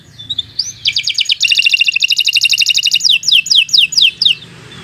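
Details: Canary in full continuous song for training other birds: a rising note, then rapid pulsed trills in layered pitches, ending with five or six sweeping descending whistles.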